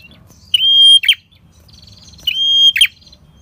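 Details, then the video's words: Two phrases from a red-headed prinia singing gacor ngalun, used to attract wild prinias for trapping: a flat, piercing whistle held half a second, then a quick harsh buzz. "Pancingan PRENJAK KEPALA MERAH Gacor Ngalun l Cocok Untuk Pikat PRENJAK Liaran"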